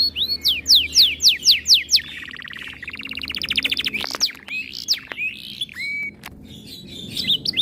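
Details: Canary in breeding condition, aggressive toward other birds' song: rapid falling sweeps, a rising buzzy rattle, a sharp plunging note and scattered high whistles with short trills.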